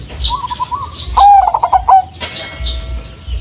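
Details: Blorok Madu zebra dove, a local variety with a bass, unusual voice, used as lure sound: a string of quick soft coos leading into a loud, gurgling, rolling burst lasting under a second.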